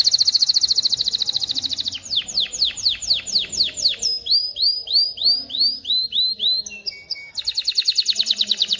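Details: Canary song used for teaching chicks to sing and preparing hens to mate: a rapid trill, a series of falling slurs, rising upslurred notes, short flat notes, then a fast trill again.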